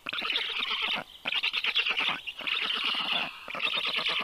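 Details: Rescued black stork chicks, 30 days old, being fed at a veterinary clinic of the University of Life Sciences in Tartu, Estonia, at 3:35 p.m. on 21 June 2022. They give dense, rapid rasping pulses in loud bursts separated by brief pauses.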